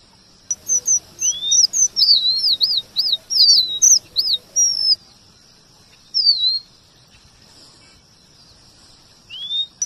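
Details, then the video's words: A male red avadavat sings a rapid run of high, thin, looping whistles, rolling and squeaky notes, then pauses before a few more rising and falling phrases. "Emprit geni STRAWBERRY gacor MASTERAN kombinasi BURUNG KACER"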